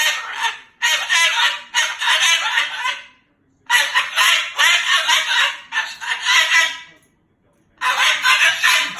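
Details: Angry Moluccan cockatoo talking and cursing. Loud, grating bursts of speech-like chatter come in four bouts, with clear gaps of silence between them.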